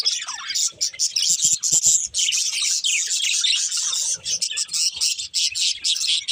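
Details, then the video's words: Pet budgerigars chirping in a dense, continuous chorus of high, rapid twittering notes and short squeaky trills, overlapping with almost no pauses across the whole stretch. "Cute Budgies Chirping Sounds"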